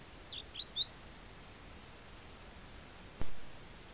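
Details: A European robin feeding at a winter feeder on farmland at Rottanova di Cavarzere (Venice), recorded by camera trap, gives four thin, very high, slightly falling notes, then near quiet with one sharp click and a faint high whistle.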